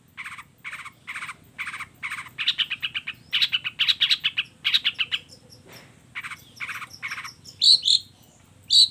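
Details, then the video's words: Long-tailed shrike giving a combination-fill song to provoke other shrikes into replying: quick series of evenly spaced chattering notes that speed up into a dense burst, then a pause and a few sharp, piercing high whistles. "suara kicau cendet gacor FULL KOMBINASI ISIAN AMPUH bikin semua jenis cendet apapun auto NYAUT EMOSI"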